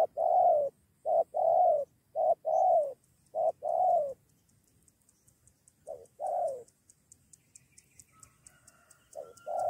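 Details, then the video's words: Spotted dove being lured with a decoy bird, with a second wild dove joining against the decoy and a near two-on-one fight: low, hoarse coos in quick runs of two or three notes, pausing between bursts, with faint high insect ticking behind. "Burung ini Ajak teman melawan pikat"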